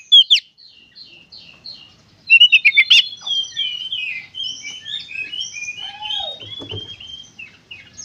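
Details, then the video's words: Oriental magpie-robin in energetic gacor konslet song, meant to encourage other magpie-robins to sing: a brief loud note, soft twittering, then a fast run of sharp chirps, then a long varied warble of sweet whistled notes. "suara burung kacer gacor konslet"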